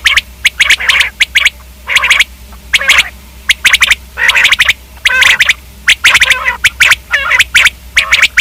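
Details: Common quail calling with quick clusters of sharp, clipped notes, mixed with buzzier, drawn-out nasal phrases, delivered in irregular bursts against a steady low hum.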